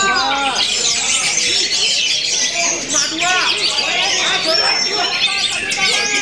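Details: A champion orange-headed thrush sings a rich, continuous run of varied phrases: quick slurred and falling notes, chatters and a thin high whistle, with hardly a pause.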